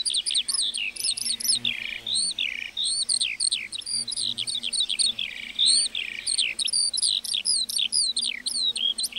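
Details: Lark in a meadow pouring out an unbroken song of quick chirps, slurred whistles and trills, notes tumbling up and down in fast succession with no break over several seconds.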